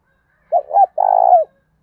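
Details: Spotted dove cooing, played to stimulate captive doves to coo: two short soft hoots followed by a longer, slightly throbbing coo, low and mellow, with silence around it.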